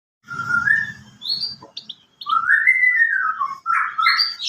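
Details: White-rumped shama singing: clear whistled phrases that rise and slur, a brief low rumble at the start, then a long fluty falling whistle followed by sharper, higher notes.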